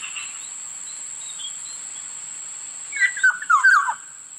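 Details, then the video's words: Black-naped oriole, one fluty call in the last second and a half: several clear whistled notes tumbling downward, following a near-silent stretch with a constant thin electronic tone. "Sound of Black-naped oriole Huni ng lapiting kilyawan"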